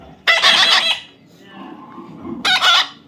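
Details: Young pet parrot letting out two rough, noisy squawks about two seconds apart, with a soft lower sound between them.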